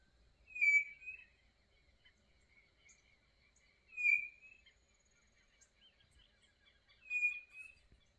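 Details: Quail singing on a quiet Brazilian smallholding, three clear high whistled phrases spaced about three seconds apart, with faint soft chirps in the quiet between them.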